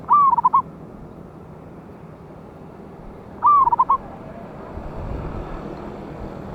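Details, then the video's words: Zebra dove from the wild, kept as a loud-voiced trapping lure, 11/8/24: two cooing phrases roughly three seconds apart, each a long bent note then a rapid string of short coos, with low background rumble afterward. "PANCINGAN BURUNG PERKUTUT LOKAL ALAM SUARA BESAR"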